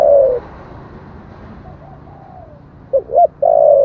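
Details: Spotted dove song in the standard 'giọng thổ' style, played to rouse wild doves to answer quickly; a loud, low, hoarse coo opens and closes the clip, with fainter, distant-sounding coos in between.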